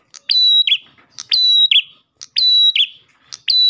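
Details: Ashy tailorbird singing loud, high phrases about once a second, used to lure other tailorbirds: a sharp clipped note, then a ringing whistle ending in a buzzy flourish.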